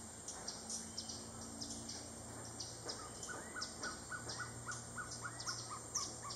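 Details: Gartered trogon (Trogon caligatus), call.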